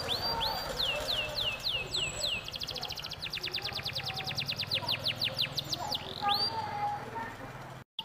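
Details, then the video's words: Domestic canary in full song, played as a lure to get other canaries singing: a series of high descending swoops, then fast rapid trills of repeated notes, more rising swoops, with a low steady hum underneath. "Suara Burung Kenari Gacor | pancingan kenari agar ikut bunyi"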